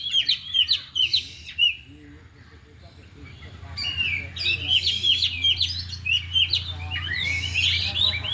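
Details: Afternoon training of four caged oriental magpie-robins unloading their 'isian': whistled chirps at first, a lull of about two seconds, then dense overlapping twittering and sweeping whistles over a steady low hum.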